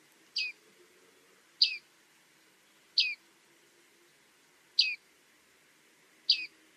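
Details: Bearded reedling giving five ringing, downward-sliding 'ping' calls at roughly one-to-two-second intervals over a soft constant background hiss.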